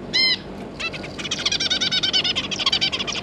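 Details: Zebra finch family, an adult pair with three juveniles, recorded 9 June 2022: one loud nasal harmonic call, then a rapid overlapping burst of short chattering calls from several birds.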